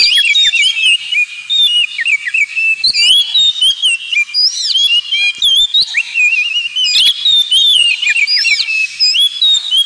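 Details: Oriental magpie-robin (kacer) singing in the ngemplong style, a recording meant as training audio for pet birds: a loud, continuous stream of varied whistled phrases, sharp rising and falling notes and quick trills, with barely a pause.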